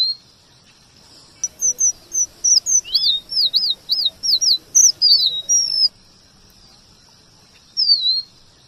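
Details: Strawberry finch, the red avadavat, whose male has a varied rolling song, delivers a burst of high piping whistles and rapid looping trills for over four seconds, then one falling whistle after a short gap.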